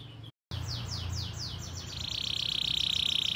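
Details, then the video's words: A canary lure song for young canaries and for birds that have stopped singing, somewhat soft over hiss. After a brief silent cut, a series of downslurred notes leads into a sustained, even, buzzy roll. "PANCINGAN KENARI GACOR PANJANG Ini Cocok Untuk Masteran Kenari PAUD & PANCINGAN Kenari MACET BUNYI"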